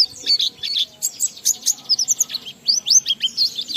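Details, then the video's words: Fast, jumbled, high twittering and squeaky chirps pour out from an Oriental white-eye singing ngalas with riwikan fills, a recording meant to rouse other white-eyes into song. "Burung Pleci Gacor NGALAS Isian sambung Riwikan Materi Ampuh Merangsang Semua Pleci langsung Gacor"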